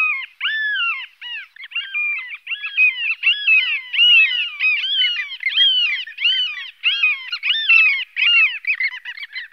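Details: Long-tailed Skuas (Stercorarius longicaudus) calling: a busy overlapping stream of shrill, nasal, arched notes, rising and falling, about one or two a second, several birds at once.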